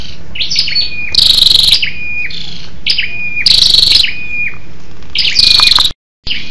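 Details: Female scarlet-backed flowerpecker, lure call meant to stimulate males: three loud rapid pulsed rattles, each followed by high falling chirps and a level whistle, then a brief silent gap near the end.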